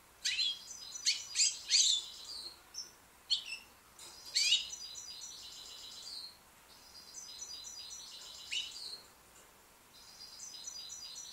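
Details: Young white British goldfinch singing: bright, tinkling twitters and short buzzy trills in bursts, with brief pauses between phrases and softer, thinner twittering toward the end; no other sounds stand out.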